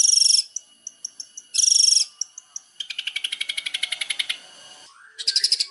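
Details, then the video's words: Long-tailed shrike master song: two harsh buzzy bursts with light ticking between, then a fast run of rattling notes sliding lower, ending in another rough burst. "masteran cendet juara|buat cendet pastol"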